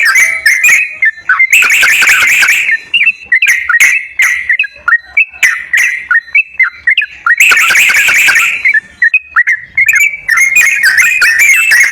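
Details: Sooty-headed bulbul lure song for a bird that is slow to sing: crisp, separate whistled notes repeated every half second or so, broken twice by dense, noisy chattering bursts.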